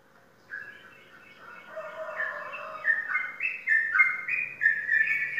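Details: Caged sooty-headed bulbul that has won contests in Indonesia gives a soft low warble that builds into loud, clear whistled notes dropping and rising in a quick repeated pattern.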